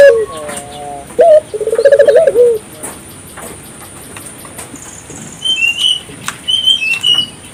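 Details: African collared dove coo used as a lure for local doves: one rolling purred phrase near the start, then quieter stretches where small birds chirp high and thin.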